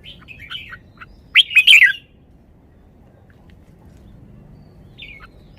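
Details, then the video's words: Caged red-whiskered bulbul showing its song phrases: soft, short warbled notes, then a loud burst of rich, bubbling whistled notes lasting under a second, followed by silence and one brief, quiet note near the end. "นกกรงหัวจุก จ้าวมาดี สำนวนดี"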